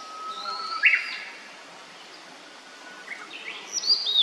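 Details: Immature blue-and-white flycatcher singing: a short high warbled phrase near the start, a quiet pause, then rising thin whistled notes at the end over steady background hiss.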